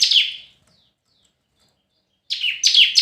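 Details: Red-whiskered bulbul competitive singing: one falling whistled note ending a phrase, a silent gap, then two more bright downslurred whistles.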